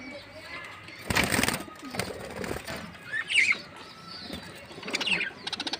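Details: Lovebirds in a colony, giving short chirps and squeaky chatter in scattered bursts, with rustling, flapping noises and a faint steady hum behind.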